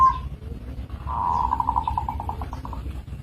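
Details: Local zebra dove (perkutut) uttering a single cooing phrase that starts as a smooth tone and breaks into a string of quick pulses slowing toward the end, over low background hum.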